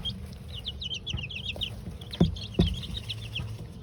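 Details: Peeping from two-week-old chicks at their first dust bath in the coop, a flock of Golden Comet, Leghorn, Australorp and Rhode Island Red; rapid high chirps in bursts, with two sharp knocks and low hum.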